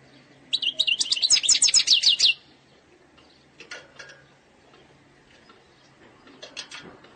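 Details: European goldfinch from Algeria performing an eastern-sector style song, said to be without faults: a rapid run of bright, metallic twitters for almost two seconds, followed by a few short scattered chirps after pauses.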